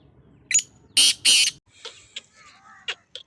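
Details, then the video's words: Black francolin (kala teetar) recorded 19 February 2025: a short sharp note, then two loud grating bursts, followed by faint scattered chirps and calls of other birds. "kala teetar ki awaz | black francolin voice"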